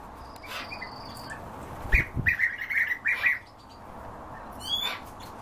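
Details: European bee-eaters calling in a quick run of about six rolling, burry 'prrip' notes over roughly a second and a half, followed by a fainter call near the end against a soft hiss.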